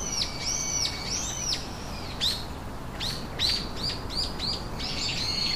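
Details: Nest of three chicks calling loudly: repeated high, downslurred squeaky notes in quick bursts, almost continuous, over light background noise.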